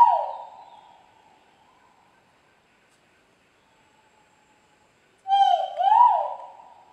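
A great argus gives loud, mellow hooting notes: one fading with echo, then a two-part rising-and-falling 'kow-wow' after a pause.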